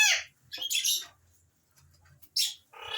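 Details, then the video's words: Alexandrine parakeet squawks: harsh, broadband screeches in short bursts, one long raspy call and a final harmonic squawk, over a low background hum. "Alexander Raw Parrots Talking and different Whistles"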